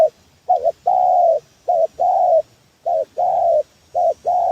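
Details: Spotted dove cooing used as a trapping lure: mellow paired notes each followed by a long, slightly falling coo, phrases repeated steadily about every one and a half seconds with a faint hiss behind.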